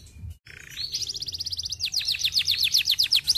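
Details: Singing canary, recorded to encourage other canaries to sing: a brief low churr, then a rapid rising trill of tight repeated notes, changing into a slower rolling series of sweeping, high chirps repeated several times a second.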